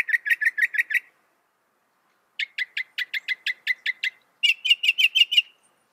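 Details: Northern mockingbird mimicry: a fast run of about seven identical chirps, a pause, a longer evenly spaced series of thin notes, then a quicker, slightly higher run of six.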